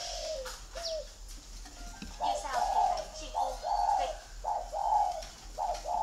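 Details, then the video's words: Spotted dove in Ba Vì, Hanoi, Vietnam, giving gù thổ style coos: a brief mixed opening, then from the second second a row of five husky coo phrases spaced about a second apart. "gù thổ"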